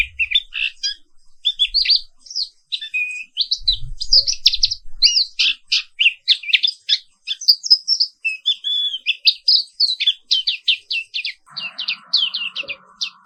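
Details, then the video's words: Black-capped white-eye from Indonesia singing a morning therapy song in rolling style: rapid high chirps and short whistled notes running almost without pause, with brief low thumps early and a steady hum near the end. "Suara Terapi Pagi Pleci Papua Wiklus | Auto Aktif & Ngerol Terus"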